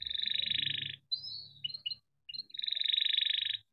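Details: Caged domestic canary kept by a breeder in Indonesia, singing a long chirping, rolling song used to stimulate other canaries to sing: dense buzzy pulsed rolls, a brief whistled break of short notes, then another long rapid roll, over a low hum.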